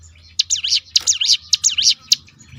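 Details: Crested honeyeater (ciblek gunung) giving a rapid 'tembakan' roll used to provoke other birds into singing: a high, sharp series of zigzag up-and-down notes in quick bursts, with short pauses between phrases and a faint low hum beneath.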